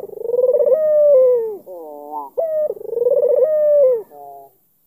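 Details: An albino Barbary dove with a black collar coos to draw a response from a rival. Two full coos: a trilled, rolling start, then a sustained clear tone that droops, with short stepped notes between.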